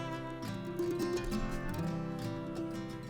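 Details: Plucked string music, a guitar or zither playing steady low notes, with no animal sound heard.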